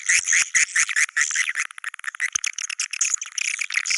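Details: Swiftlets in the Goa China sound style: loud, busy chattering twitters, a rapid jumble of short high chirps overlapping continuously without pause.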